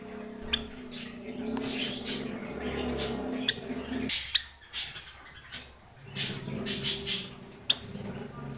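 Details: Silver Java sparrow giving sharp, very high clicking chirps, grouped in quick bursts of three to four notes with short pauses between them, over a low indoor hum.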